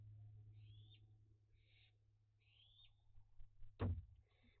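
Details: Young barn owls active at dusk during a heatwave and drought, flying about and using a bird bath: faint, raspy rising screeches, then a loud thump, over a steady low hum.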